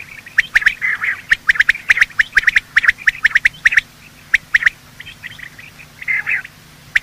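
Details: Quail heard in the morning, male and female voices used as a hunting lure: a fast series of sharp piping notes in pairs and triplets, thinning out later into scattered whistles and one short harsh burst.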